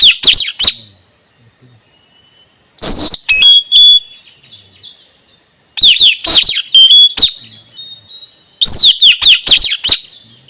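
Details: Male Blue-rumped Parrot voice used to attract wild birds: four bursts of loud, piercing whistles about every three seconds, each a handful of steeply falling notes mixed with brief flat tones.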